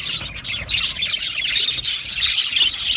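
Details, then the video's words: Budgerigar colony in an aviary, a dense mass of high chirps, squawks and warbles overlapping without pause, with short sharp squeaks standing out above the steady chatter. "Budgies birds chirping sounds"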